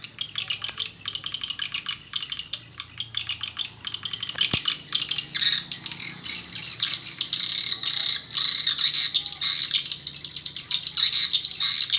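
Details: Swiftlet lure sound meant to draw in swiftlets: a fast, dense chatter of dry ticking chirps. It becomes louder and more continuous and buzzy partway through after a sharp click.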